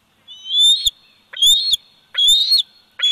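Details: Three shrill, drawn-out whistles from a 104-day-old bald eagle eaglet on its nest, Big Bear Valley nest camera, 27 July 2019, each note climbing a little before a clipped end, with a fourth starting at the close.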